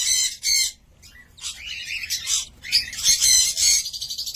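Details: Cockatiel squawking in harsh, broad bursts, interrupted by a few thinner whistled notes.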